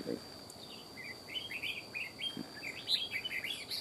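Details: Red-whiskered bulbul, an old wild bird with a loud sharp voice, fiercely scolding a decoy: a run of short, bright whistled notes, some rising and some falling, delivered rapidly throughout over a constant high background whine.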